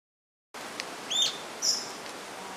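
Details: Rufous-tailed jacamar giving two short high calls, one a rising-falling whistle and one a thin sharp note higher up, with soft rustling in the background.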